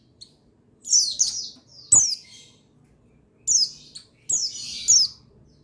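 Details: Buxtoni white-eye male, song played to trigger other white-eyes to sing: clustered bright, high twitters and steep descending whistles in four bursts over a quiet low background.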